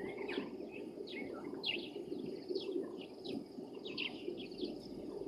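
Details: Blacksmith lapwing at Gowrie dam waterhole, Djuma Game Reserve, Sabi Sand, South Africa, 05:25 on 22 January 2023, giving sharp metallic 'tink' notes about once or twice a second over a steady rush of wind or water.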